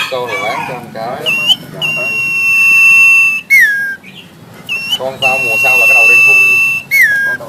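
A black-headed sibia sings rough, scratchy chatter, then long, steady high whistles held over a second each, ending in quick downslurred notes; the pattern repeats twice.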